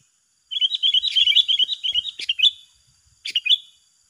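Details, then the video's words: Sooty-headed bulbuls, two birds singing against each other in a contest. A quick, chirpy run of bright, bubbly notes lasts about two seconds, followed after a pause by a short burst of similar chirps. "Adu Gacor yang tak Terselesaikan Antara dua petarung"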